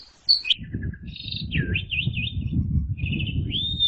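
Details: Asian pied starling song in the ngeplong and ngeriwik style used as masteran training audio: a sharp whistled note, a short descending slur, then wavy warbled whistles and a long rising whistle over a low rumbling background.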